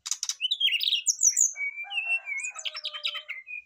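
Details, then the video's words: Brown-chested jungle flycatchers answering each other, displaying their learned phrases: rapid harsh chatter opens, followed by swooping whistles and a sustained level whistle overlaid with busy twittering and low warbled notes. "srdc langsung sahut sahutan ngeplong bongkar isian"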